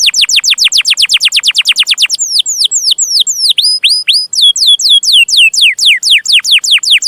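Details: Lively singing canary in long chirping song used as a master recording for training young canaries: a rapid run of steep descending whistled sweeps, then slower looping upslurred and downslurred notes with high ticks, loud and clean.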